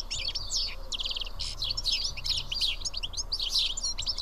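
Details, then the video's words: A flock of sparrows sitting and feeding together at Karyotissa, Greece, keeps up a dense, overlapping chatter of short, bright chirps without pause, over a low background rumble. "Σπουργίτια (ήχος και εικόνα)"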